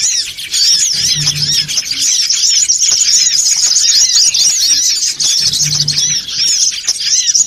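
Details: Noisy songon otong chatter meant to draw birds in: many high twittering notes pile on top of one another in a continuous busy din, with short brief low hums now and then.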